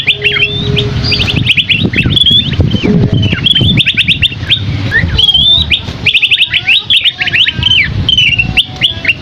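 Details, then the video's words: Gacor Scaly-crowned Babbler (asi topi sisik) masteran, luxuriously filled song. Long dense streams of quick high chirps and whistled slurs continue with few pauses, with some buzzy downward strokes and a low background rumble. "Masteran Burung Asi Topi Sisik GACOR isian MEWAH Burung Kecil Suara Sultan"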